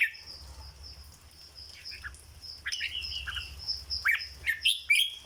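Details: Cage-kept red-whiskered bulbul in 'dok' singing style: quiet slurred notes give way to a rising string of loud, bright whistled phrases in the final second and a half, with a persistent high background drone.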